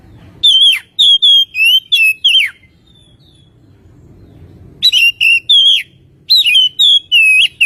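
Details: Lure recording of an Oriental magpie-robin, played to make birds sing sooner; two bursts of sharp, loud whistled notes, several with steep downward slides, separated by a pause of about two seconds.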